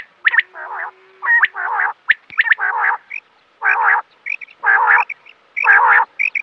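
California quail giving nasal, wavering, croaky notes in short bursts about once a second, mixed with sharp, high chips and clicks.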